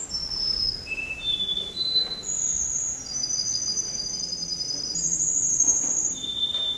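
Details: Male canary number 10 performs at a Rostov-on-Don singing contest on 22 January 2011 with very high, clear whistled phrases. Short notes climb in steps, then long bright tones are held for over a second each, against a quiet background.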